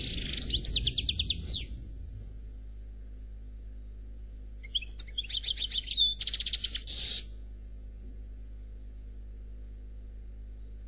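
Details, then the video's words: Bright high twittering and buzzy trill from a European goldfinch, Noir, singing khalwi style; after a pause come clipped chirps and dense buzzing trilled phrases, then quiet. "Chardonneret Noir Khalwi Chant sans fautes"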